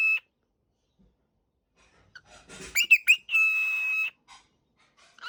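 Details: Cockatiel kept as a pet, calling as it wakes: after a short opening note and quiet, scratchy chatter leads to three sharp upward chirps and a sustained buzzy tone, followed by faint soft notes.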